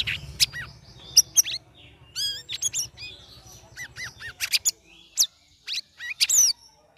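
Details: Sooty-headed bulbul, a caged bird in its third week of ombyokan group-hanging care, giving a ngeriwik ngeplong song of sharp chirps, wavering whistles and short rising slurs, with a faint low rumble early on.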